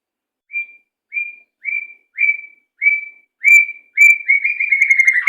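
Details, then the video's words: White-rumped shama song used as a training tutor for captive birds, in the style called macet sepid rapat: clear, slightly falling whistled notes repeated about every half second, then speeding into a fast, run-together burst of whistles. "Masteran Burung Murai Macet Sepid Rapat"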